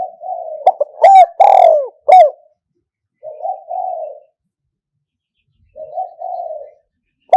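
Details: Spotted dove lure recording, 2022, '1 kuk' style 'kham khu kham, khu kom': low coo, a rapid run of loud notes and a long sliding coo, then two soft double coos spaced by pauses, and a sharp note at the end.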